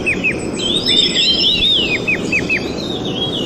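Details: Red-tailed minla (Minla ignotincta) giving quick, thin, high descending notes, about three or four per second, over a soft twittering background.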